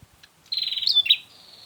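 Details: Single bar-winged prinia burst, used to lure the bird for trapping: a rapid, buzzy, high rattle with two sharp squeaky peaks, ending in a long, thin, steady whistle-like tail.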